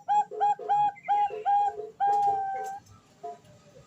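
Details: Calling female zebra dove (Bangkok perkutut), the call used to lure and teach males; a fast series of six clear, harmonic-rich coo notes, the last stretched out, ending with softer scattered notes.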